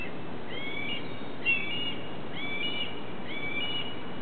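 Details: A red-tailed hawk at Cornell on the ILR building, 14 July 2013, 3:32 pm, gives four thin, high, alarm-like chirps, each slightly upslurred, about a second apart over a steady low rumble.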